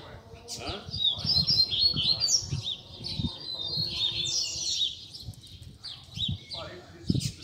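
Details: Double-collared seedeater (coleiro) tutor song, a 'puxada' used to teach young birds and fire up singers: fast, high twittering phrases with sweeping whistled notes and buzzy trills, broken by short pauses, over faint low background rumble.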